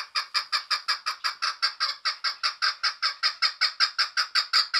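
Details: Female chukar partridge calling: a steady, rapid series of about twenty-five harsh, rhythmic chuk notes, clean and close, with no other sounds.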